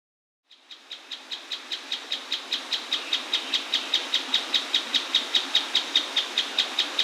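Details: Mouse-colored tapaculo singing very close to a waterfall in the Atlantic Forest: after a brief silence, a long, steady series of sharp, high notes, about two and a half per second, grows louder over a constant rushing waterfall roar.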